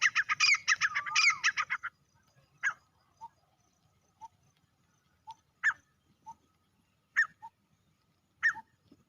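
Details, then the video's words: A male grey francolin opens with a quick run of harsh, shrill notes. Single loud, sharp calls follow every second or so, with soft clicks in between. "NAR Teetar only sounds | grey francolin male sounds"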